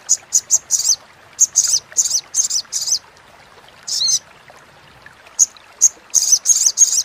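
A Little Spiderhunter gives rapid, very high, sharp chattering notes in quick bursts of three to five, with brief pauses between bursts.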